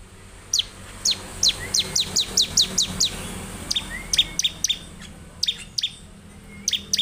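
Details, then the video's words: Energetic gacor song from a bar-winged prinia, a long even series of high sharp chips at about two per second, followed by scattered doubled notes and faint upslurred whistles over a low hum. "ciblek lain pasti gacor dengan suara ciblek gacor ini"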